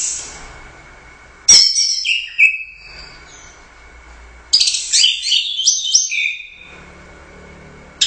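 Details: Orange-headed thrush, a caged competition bird that took first place at the Royal Cup, singing in the lively gacor style with teler doyong swaying. Two bursts of rich, high, rapid warbled phrases with short whistles, separated by quiet gaps with a steady faint tone.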